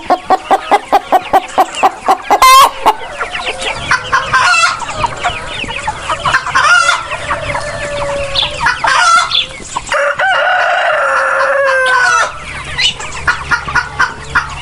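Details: Free-range and farmed chickens: a fast run of regular clucks opens, followed by a busy mix of clucking and cackling from the flock. A rooster breaks in with a sustained, loud crow lasting about two seconds near the end.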